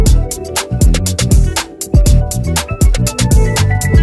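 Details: Upbeat plucked-guitar music with a steady driving beat fills the whole recording, and no animal sounds are heard.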